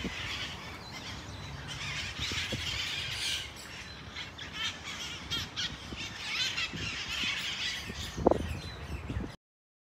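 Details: A flock of red-masked parakeets in Kapiolani Park, Waikiki, Honolulu, Hawaii, July 2024, keeps up a harsh, overlapping chorus of screeching squawks, with a louder shriek near the end and faint low background rumble.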